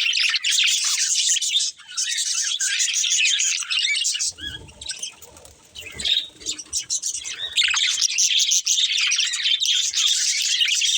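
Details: A breeding pair of budgerigars keeps up dense high chattering warble, pausing briefly mid-way where soft rustling and thuds are heard before the chatter resumes.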